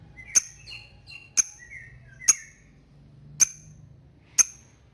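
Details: Lovebird 'ngetik' ticking call used to prompt a rival to chatter: five sharp high clicks about a second apart, mixed with softer short whistled notes between them.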